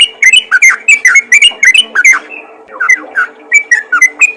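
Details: Yellow-vented bulbul calling other bulbuls, a burst of rapid bubbly chirps, a short gap, then sparser single whistled chirps.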